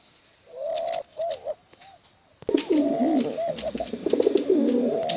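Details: Contest pigeons, male and female, first a few soft arched coo notes, then after a sharp tap a loud overlapping mass of low rolling coos with clicking.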